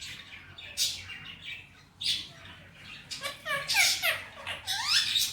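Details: Male pet ringneck parakeet talking in Hindi-Urdu: short breathy, hissy syllables early on, then a fast jumble of squeaky, downward-sliding word-like notes that grows louder toward the end, heard indoors.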